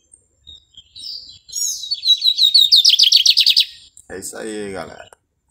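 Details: Lined seedeater, a Brazilian bird of grassy fields, clearings and plantations, delivers a bright song of thin sliding whistles followed by a rapid buzzy trill, then a man's voice speaks briefly.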